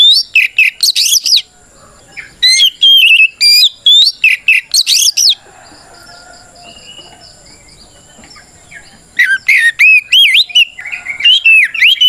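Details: Oriental magpie-robin 'ngeplong' fighting song calling an opponent: two fast bursts of loud, looping whistles and sharp chips, a quiet stretch of about four seconds, then another rapid, ringing run.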